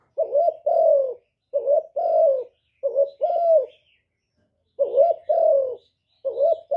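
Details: Spotted dove producing a rhythmic string of paired coos: a short quavering note followed by a longer falling one. Three quick phrases, a pause, then more phrases follow.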